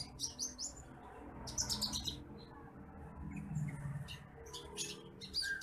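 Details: Titimplik bush lark masteran song, a small fine whistling voice: several short bursts of high, scratchy chirps with pauses between, over a low steady hum in the background.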